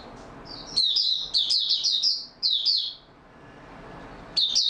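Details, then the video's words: Oriental white-eye in stable-form song on 28 February 2022: a run of rapid, high, chirping notes, a short pause, another burst, then quiet before a final high twitter. "Mata Puteh Raja Video 1 buka sing stable form 28022022"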